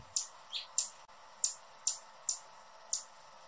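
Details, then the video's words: Hummingbird making single sharp, very high chips, spaced roughly every half second, with one lower squeaky note among them and a faint hum behind. "Hummingbird sounds in 2021 | Calls and Song"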